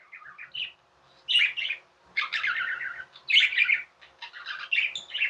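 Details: Budgerigars kept as pets give rapid, grating chatter mixed with harsh squawks and twittered notes, loud bursts following one another with little pause.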